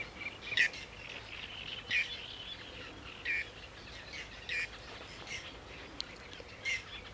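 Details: Black-necked grebe at Spytkowice on 9 June 2013: short, rising whistled notes given singly at uneven gaps of about a second, over a steady hum of background noise.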